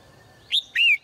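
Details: A caged female bird singing in the morning. Two loud clear notes: a short rising chirp, then a longer whistled note that slides slightly downward, against a quiet background.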